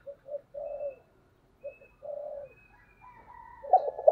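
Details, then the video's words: Spotted dove decoy bird heard in 2022 giving moderate, muffled coos in short paired bursts, each ending in a longer falling note, then a rising harsher sound near the end. "cu mồi gáy/ Tiếng Cu đất kêu"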